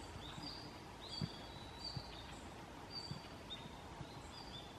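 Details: Red-flanked bluetail call notes (not song) on 30 November 2014, several birds present, bird unseen: thin, high, brief, slightly falling whistles, several per second in loose series, over steady low background rumble.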